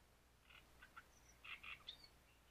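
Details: Great reed warbler recorded at Grachevka: short bursts of harsh, grating syllables in small clusters, with separate chattering notes spread across just over two seconds against a quiet background.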